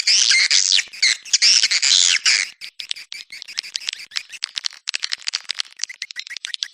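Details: Swiftlets heard on an Anak Muda lure call recording used to attract the birds. Loud, squawky twittering for two seconds, then softer, quick irregular clicks and chirps.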